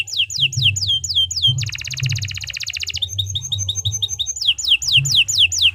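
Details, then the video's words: Long 'gacor' canary song for training other birds: whistled notes sweeping downward, then a dense, rapid rattling trill, then quick short chips, and a return to the downslurred whistles, all over a faint low background hum. "Suara Burung Kenari II GACOR PANJANG Cocok untuk Masteran"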